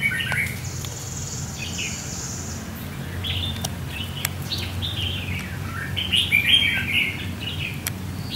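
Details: Red-whiskered Bulbul at a fighting trap, a decoy luring a wild bird on a sunny warm day. Chirpy phrases repeat about three times a second in bursts, peaking in a lively trill late on, over a low hum.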